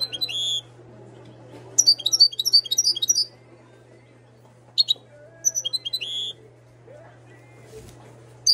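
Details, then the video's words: Moroccan European goldfinch bred in 2022 singing: short bursts of high, tinkling twittered notes, one around two seconds and others near five and six seconds, separated by quiet gaps over a steady low hum. "طائر الحسون انتاج 2022 ماشالله صوته جميل حسون مغربي"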